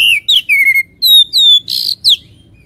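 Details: Singing Oriental magpie-robin, a lure to provoke fighting drive: sweet slurred whistles, a long level note, one rasping buzz, then a falling whistle.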